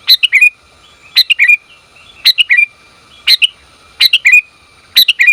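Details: Calling female sooty-headed bulbul answering for a male: six evenly spaced groups of three or four bright, bubbly chirps, each group ending in a short slurred note, repeating about once a second against a faint continuous hum.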